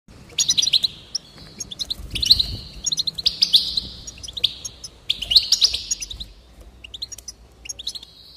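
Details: Goldfinch song from a recording meant to encourage birds to sing: bright, high twittering phrases of rapid chirps and short buzzy trills, in bursts with brief pauses, over a faint low rumble.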